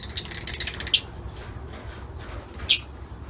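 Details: Lutino Fischer's lovebirds in an outdoor aviary give shrill, squeaky chirps, a quick burst of several in the first second and then a single sharp call, over a faint hiss.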